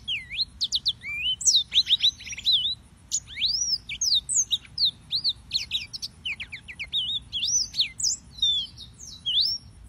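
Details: Yellow-fronted canary delivering a long, unbroken warbling song of high slurred whistles, short rapid trills and sharp chips, varied phrase to phrase, over a soft low background rumble.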